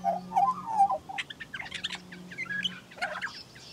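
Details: Female Australian magpie, Western race Gymnorhina tibicen dorsalis, collecting nest grass in Australia: a low, gurgling warble opens, then gives way to quick, scratchy, chirping notes in varied bursts, mimicking other birds.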